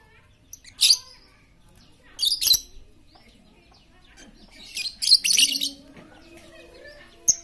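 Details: Talkative lovebird lure intended to make quiet lovebirds sing: sharp, high grating squeaks in bursts, a longer double burst of chatter midway, and a low droning hum in the background.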